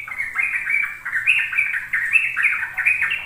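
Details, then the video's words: Sooty-headed bulbul song in the ropel style, used as a lure for young birds learning to sing: loud, fluty chain of short notes climbing then falling, steady and continuous. "Pancingan trucuk agar trucukan BAHAN PAUD ikut belajar ropel"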